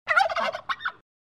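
A turkey gives one rapid, rattling gobble, a quick bubbling burst followed by two short gulping notes, all over in about a second.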